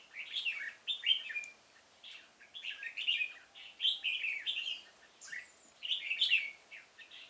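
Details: Red-whiskered bulbul used as a decoy in a pomelo garden, singing to lure wild bulbuls for trapping, 25 October 2017; loud bursts of rich, warbled whistled phrases with rising and falling notes, repeated in quick series almost without pause.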